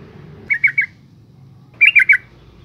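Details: Female yellow-vented bulbul in 'ngalas' calling meant to provoke males: two short groups of three bright, chattering notes about a second apart, over a low murmur.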